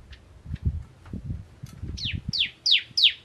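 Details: Bar-winged prinia of the crystal type, with soft thumping and knocking noises first, then four loud, sharply falling chips closing the passage in 'nembak ngentrok' style.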